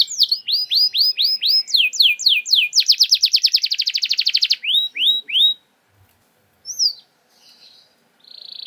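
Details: Lure song of a canary in the shooting 'nembak' style: rising hooked whistles that speed into a rapid, dense, high trill, a few slurred notes, then near silence broken by a lone whistle and a thin buzz.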